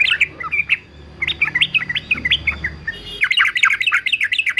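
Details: Male yellow-vented bulbul, described as a fighter, singing for bird-song training: bubbly, chattering phrases of short rising and falling whistled notes, with a brief pause near the middle before a denser burst of notes.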